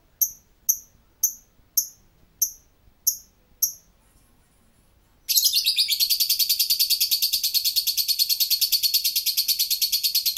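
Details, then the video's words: Lovebird giving its ngekek song: several sharp high chirps about every half second, a pause, then a long unbroken rapid buzzy chatter of fast pulses lasting over five seconds. "Suara ngekek burung Lovebird"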